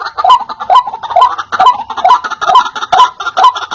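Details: Loud white-breasted waterhen calls to entice wild waterhens: rhythmic, croaking notes repeated a little over twice per second, each clear and strongly accented.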